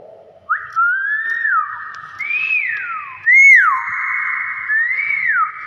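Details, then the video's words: Common hill myna indoors giving a series of loud clear whistles: a rising note held flat, then falling, followed by two arched rise-and-fall phrases, each with a ringing echo, with a man's voice in the background. "BEO 1 M SUARA ASLI VIRAL"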